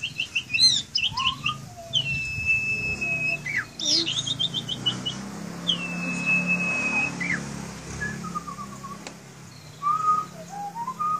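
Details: Caged Asian pied starling singing: long flat whistles held near two seconds, rapid repeated chirp runs, and lower slurred rising whistles, with a low steady hum underneath.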